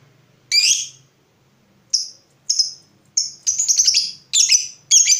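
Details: Lovebird 'ngekek panjang' recording used as a lure to get other lovebirds singing: shrill, high chirps spaced about a second apart, then buzzy trilled bursts that grow longer and closer together.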